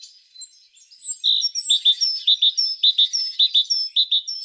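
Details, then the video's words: Singing tit repeating paired high notes in a steady rhythm, about two pairs a second, over faint thin whistles from other birds in the background. "The sound of a tit singing"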